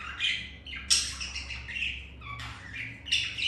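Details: Domestic budgies during mating after one female turned the male away; rapid scratchy warble with sharp squeaks and short rasping notes, loudest at the start and end, over a low constant indoor drone.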